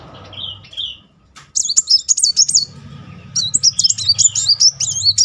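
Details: Sunbird (kolibri muncang) in rolling song used as a lure for a silent bird; a couple of soft whistles, then lively rapid high warbling with twisting notes, low rumble underneath.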